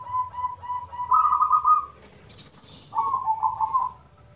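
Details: Local zebra dove with a loud voice: soft repeated short coos build into a longer rolling trill, then a brief pause and another trilled phrase; faint low background hum.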